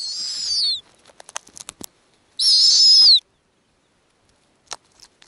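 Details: Thin, high whistling squeals with a falling tail, two of them, separated by a run of light clicks and rustles, at an Arctic snowy owl nest where owlets are being fed.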